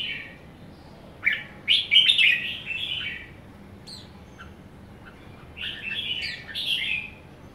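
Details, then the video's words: Red-whiskered bulbul, a young somersaulting cage bird, gives a loud rich warbling phrase of slurred chirps from about 1.2 to 3 s, a few scattered thin notes, then a second bright, run-together phrase near 5.6 to 7.2 s over faint room hiss. "Young somersault merbah jambul kekek"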